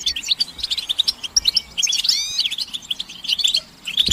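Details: European goldfinch twittering played to stimulate a male into song: sharp high chirps, a cluster of sweeping slurred notes at two seconds, then more scattered tinkling calls and a short quiet gap near the end.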